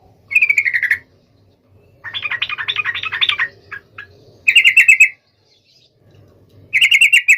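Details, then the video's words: Singing yellow-vented bulbul calling out a rival: short descending trilled phrases alternate with a dense buzzy chatter, repeated several times with brief silences. "SUARA trucukan gacor MEMANGGIL LAWAN"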